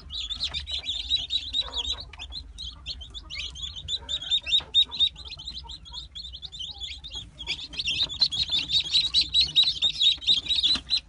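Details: Brahma chicks of the light, buff, gold and dark varieties, held for sale, peep in a shrill flock chorus, rapid repeated high notes about two per second, thinning midway then swelling into a dense run near the end.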